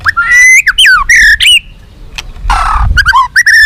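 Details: Song of a White-rumped shama, used to make captive birds responsive and eager to fight: rich whistled phrases sliding up and down, a brief harsh rasp midway, then quick chirping notes.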